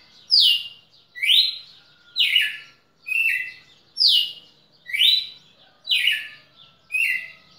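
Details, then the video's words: Red-cowled cardinal singing in Pernambuco, Brazil, on 10 December 2017: loud clear whistled phrases, each sliding down or swooping up, repeated about once a second in a steady varied series, with a faint hum beneath. "galo campina"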